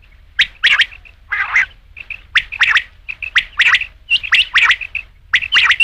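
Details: Rain quail (batair) in a steady run of harsh paired notes, interspersed with soft short pips, repeated at a brisk, slightly irregular pace.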